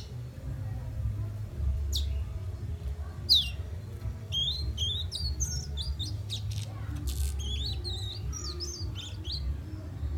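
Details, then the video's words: Young fire red whistling in Guyana, South America: a run of high, quickly rising and falling whistled notes, mostly in the middle of the recording, over a steady loud low rumble. "Young fire red whistling."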